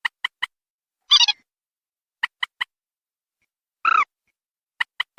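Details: Waterhen call used as a bird lure: crisp clicking notes in quick triplets, repeated about every two seconds, alternating with two short harsh, buzzy bursts; clean recording with no other sounds.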